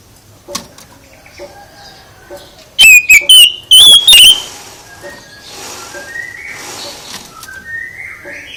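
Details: Oriental magpie-robin song played to provoke a caged magpie-robin into answering: a short, very loud burst of slurred whistles around four seconds in, framed by faint scattered chirps and soft background rustle.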